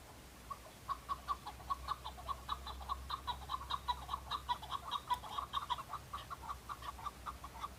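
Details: Rival-answering male chukar partridge in the fighting season, displaying and fighting to attract females; quiet start, then a long rhythmic run of sharp clucking chuk notes that builds and continues to the end.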